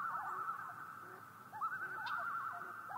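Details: A common loon, in a National Park Service recording, gives a long, steady, mid-pitched wailing note that breaks into a rapid wavering, yodel-like warble halfway through, over quiet outdoor background.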